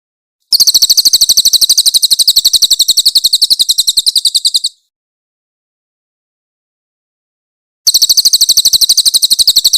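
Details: Loud-voiced cililin, or Grey-headed canary-flycatcher, giving 'tembakan kasar' song for a magpie-robin training master. A fast, even string of piercing high chips lasts four seconds, a long pause follows, then the rapid string resumes. The background is clean.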